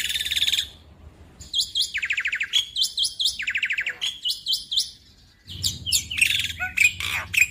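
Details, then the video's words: Young Indonesian black-winged starling in full nembak song: chattering phrases with buzzy trills and sharp high notes, repeated in bursts over a low hum. "Pancingan Jalak Putih Macet bunyi / Jalak Putih Muda - Jalak Putih Gacor Full Nembak"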